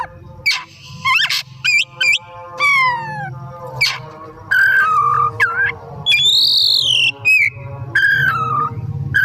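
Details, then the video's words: A long, rich afternoon lure song by an Oriental magpie-robin: quick sharp chirps, descending slurred notes, a held falling whistle and a high arching whistle, over faint low background noise. "Burung Kacer Gacor || Bahan Istimewa Pancingan di Sore Hari"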